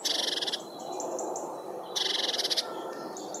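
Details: Great tits chirping while feeding, breaking food apart with their beaks; two short, rapid, buzzy chattering bursts about a second and a half apart, with fainter high chirps between, over constant background hiss.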